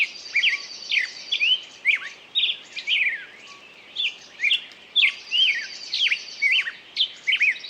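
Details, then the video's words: Songbird delivering bright, rapid phrases of chirps and slurred whistled notes, roughly one burst per second, interspersed with high buzzy trills, against a quiet background. "пение птицы"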